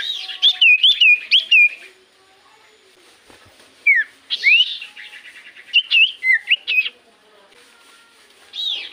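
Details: Common iora lure song meant to draw answers from silent birds: lively series of wavering whistled notes with buzzy edges, a pause, then more looping whistles and slurred phrases.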